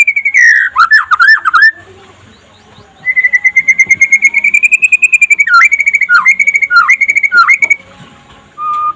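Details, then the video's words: A white-rumped shama (murai pastol) sings in daytime, recorded as a master for training other shamas: quick looping notes, a pause, a long gradually rising pulsed trill, then several whistled notes with sharp downward dips. "SUARA KICAUAN BURUNG MURAI PASTOL DINLAGI HARI AGAR CEPAT GACOR"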